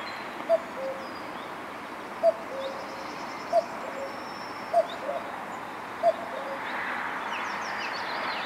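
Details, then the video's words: Common cuckoo back in spring at Hervester Bruch near Dorsten, Germany, calling from woodland on 23 April 2014: five clear two-note cu-coo calls, first note higher and second lower, repeated roughly every one and a half seconds, with faint high chirps of other birds. "Kuckuck rufts aus dem Wald"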